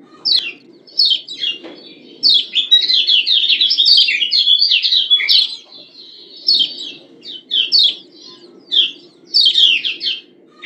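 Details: Female yellow white-eye of Lombok calling to rouse males: short high chirps, then a dense rapid chattering run lasting several seconds, then scattered sharp chirps again, with a soft low hum beneath.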